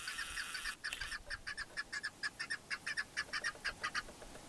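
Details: Chukar partridge, known as keklik, in the Pamir, Tajikistan, 2021: after a burst of hissing noise, a regular series of loud, hoarse chuck notes repeats about twice per second.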